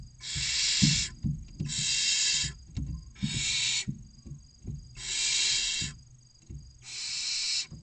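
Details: Six barn owl chicks, aged 16 to 29 days, inside a nest box in Cabañeros National Park, Spain, await food at the entrance: five long, harsh hissing screeches about a second each, with knocks and scuffles between.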